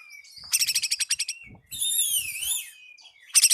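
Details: Oriental magpie-robin lure song meant to call a rival: a rapid burst of sharp, high repeated notes, then a sweeping, warbled whistle that rises and falls, and a final quick trill.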